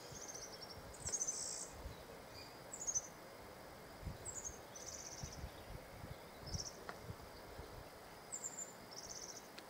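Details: Male European serins singing short, very high, buzzy jingling bursts every second or two over a steady background hiss.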